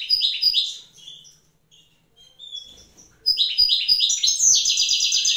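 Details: Wild goldfinch pair singing in the evening while the hen sits on eggs: bursts of bright twittering and short trills, a quieter pause with soft notes midway, then a loud rapid tinkling run.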